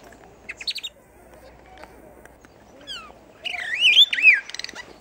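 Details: A captive superb starling at Newquay Zoo in 2014 sings a rambling mix of high chatters, chirps and sweeping whistles that rise and fall, with faint background noise.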